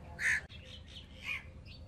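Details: A single strong, grating squawk from baby Alexandrine parakeets kept as new pets, followed by a softer, shorter rasp a second later, over faint background rumble.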